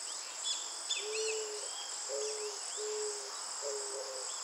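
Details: Low, soft cooing from an eared dove, four brief even notes in quick succession, under a constant high insect drone with faint twittering of other birds.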